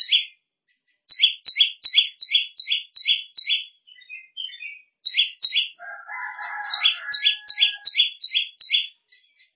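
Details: Shrill prenjak lumut training song of quick paired high chirps in bursts, while a rooster crows loudly underneath partway through.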